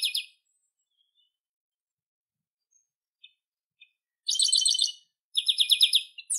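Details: Chestnut-capped blackbird, known in Brazil as garibaldi, papa-arroz, xexeu-de-lagoa or rinchão, singing loud buzzy, harmonically rich trilled phrases, one brief burst at the start, then two longer rattling strophes near the end after a quiet gap.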